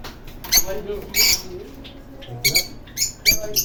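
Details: A canary gives short, bright, high chirps in scattered bursts about every half second to a second, over a faint low murmur of voices.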